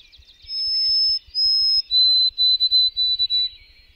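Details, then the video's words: Single white-throated sparrow song phrase: a long whistle, a second long whistle, then a slightly lower stretch of quick stuttered triplet notes, fading out near the end; faint rhythmic low thumps in the background. "White-throated Sparrow: Whistler of the North"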